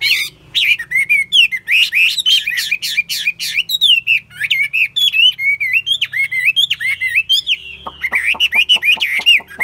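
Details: Keen-singing caged Chinese hwamei, tested for fighting attitude, gives an extended energetic song of rapid up-and-down slurred whistles interleaved with sharp clicking notes, ending in a quick regular series of clicks.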